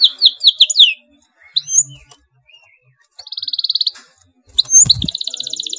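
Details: Canary singing an excited tight roll to set off other canaries: a burst of rapid downslurred notes, a few scattered whistles and quiet gaps, a fast even trill, then a soft thump and a loud rattling roll.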